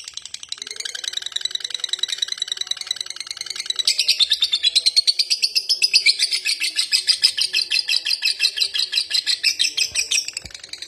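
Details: Long continuous ngekek chatter from a lovebird, a fast rasping stream of chirps that rises in pitch and loudness midway and keeps going without pause.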